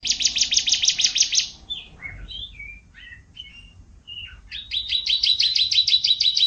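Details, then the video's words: Canary in energetic 'gacor isian' singing: a fast buzzy trill of repeated high notes, then a few separate whistled slurs and short chips, ending in another rapid pulsing trill. "Kicau Kenari Gacor Isian"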